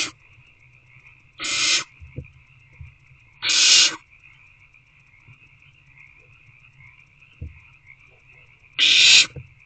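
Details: Evening begging from owlets inside an owl box, awaiting food: four loud, noisy hissing bursts at uneven gaps of two to five seconds, separated by quiet stretches holding a steady high-pitched hum and occasional soft taps.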